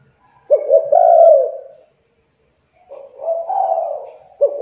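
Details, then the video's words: Spotted dove, young, calling as bait for reluctant doves; a stuttered coo phrase, about a second of silence, then a softer drawn-out coo and the start of another. "TEKUKUR MACET , MALAS BUNYI, MUDA, CULHU COBA PANCING DENGAN TEKUKUR INI AGAR CEPAT BUNYI"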